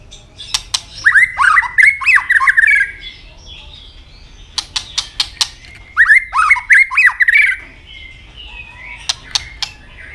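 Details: White-rumped shama fighting song: two harsh, chattering bursts of rapid, squawky notes, each set off by loud, sharp clicks, with quieter clicks at the end.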